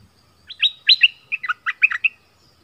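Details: Bulbul used as a decoy bird in southern Thailand pours out a rapid phrase of roughly nine chirpy, slurred notes that step up and down, ending cleanly in silence.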